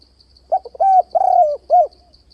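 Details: Spotted dove used for luring doves into traps gives a varied phrase: short clipped notes, a long coo, a wavering falling coo, and a final rounded hoot, with a steady high pulsing buzz behind.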